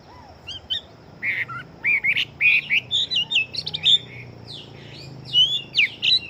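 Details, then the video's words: Caged Chinese hwamei, a fighting bird, singing fast: loud whistled phrases of rising and falling notes mixed with harsh buzzy bursts, delivered in quick irregular runs against a low background hum. "Họa Mi Chiến Siêu Mau Mỏ Bộ To Hót Tốt"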